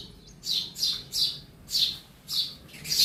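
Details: Indoors, a sparrow gives quick bright chirps, five notes in three seconds, each a short high burst, the room otherwise quiet.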